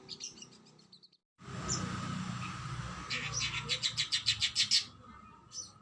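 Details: Kacer, or oriental magpie-robin, in a training recording: soft notes, a brief cut, then a quickening run of high repeated notes over background hiss and hum.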